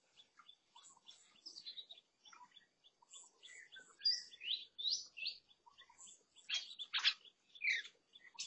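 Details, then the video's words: Lesser necklaced laughingthrush at a fruit feeder in a garden, a new visitor, recorded 16 June 2022: a run of short chirps and clear whistled notes, some rising and falling, louder buzzy bursts near the end. "นกกะรางสร้อยคอเล็ก นกใหม่ของซุ้มผลไม้สวนช้างพูห์"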